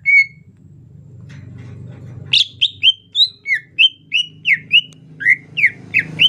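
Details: Greater green leafbird in the rainy season, singing gentle 'ocehan lemas' chatter. One pure whistle, a pause with a low rumble, then a steady run of bright slurred notes, mostly falling, about three per second.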